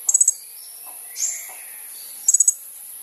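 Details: Kolibri ninja sunbird singing for use as a lure: two short bursts of four rapid, very high ticking notes about two seconds apart, with a soft slurred squeak between them.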